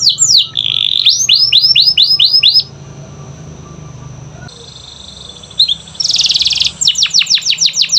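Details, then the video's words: Canary song for lazy, silent canaries: swooping whistles and quick repeated arching notes, a lull of nearly three seconds, then a harsh high buzz followed by fast falling trill notes. "Pancingan Kenari Malas Bunyi‼️Dengar Langsung Nyaut Gacor Dor"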